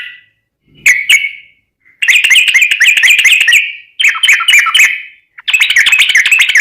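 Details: Yellow-vented bulbul lure recording of a lively singer: one opening call, then three bursts of rapid, bubbling, chattering song separated by short gaps.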